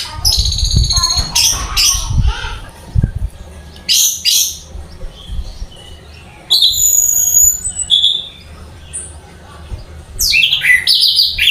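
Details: Orange-headed thrush in a cage, singing hard in scattered bursts: shrill whistles, rasping chatter and fast trills separated by short gaps, with low thumps early on.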